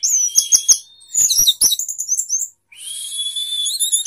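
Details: Singing orange-headed thrush in sapu jagat style with tail open. Repeated high whistled notes and rapid chattering give way to a long steady high whistle with a rising sweep.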